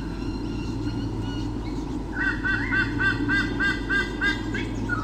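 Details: In 2013 a pair of white-bellied sea eagles at Sydney Olympic Park, Australia, defends its territory from swooping currawongs, recorded on a nest camera. After a quieter start, a regular run of harsh honking notes begins, evenly spaced and steady, over constant low hum.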